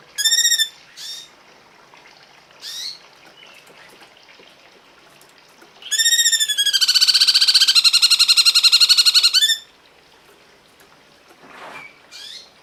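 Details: Cungkok song: scattered ringing harmonic notes, then a curved whistled note leading into a long, loud, fast, buzzing trill lasting about three seconds, followed by quieter chips.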